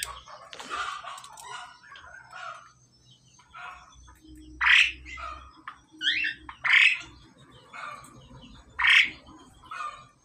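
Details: A male and a female pied myna being paired, exchanging loud harsh squawks, chattering notes and short whistles in irregular bursts about every two seconds, with a low hum underneath.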